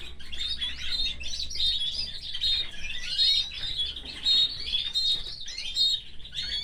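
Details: Canary in a cage alongside its family, delivering a busy stream of high twittering notes and bright whistles with brief pauses, over a soft low hum.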